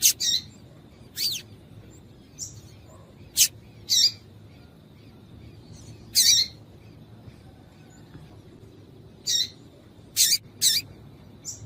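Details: Repeated calling of a female Yellow-bellied Seedeater, used to stir males into song for tournaments: about a dozen brief, high, sharp chirps, irregularly spaced across the span, some in close pairs, over soft hiss.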